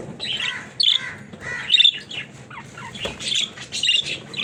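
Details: Pet budgerigars, several birds, in a funny talking budgies setting: dense warbling chatter with bright chirps and short squeaky notes, bursts roughly every second, some sharp whistled peaks.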